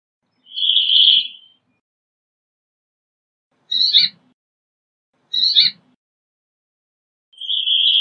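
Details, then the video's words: Brambling singing: long, drawn-out buzzy wheezes of about one second open and close the passage, with two short, harsh, chirping notes between them, separated by clear pauses in an otherwise quiet setting. "Brambling Song! Brambling Call! Brambling Voice! - Pinzón Real Canto"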